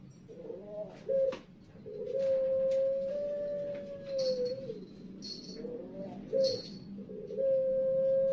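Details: Competition-line Pelung turtle dove of Utama and Madya class, from well-known breeders in Central Java, showing song rhythm: long, level, drawn-out coos ending in a slight downward slur, separated by short broken notes, over a steady low hum with faint high chirps.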